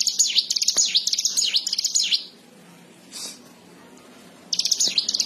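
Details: Plain prinia (ciblek sawah) in full song: rapid high chirping notes for about two seconds, then a pause with a brief hiss, before the same quick, sharp chatter resumes.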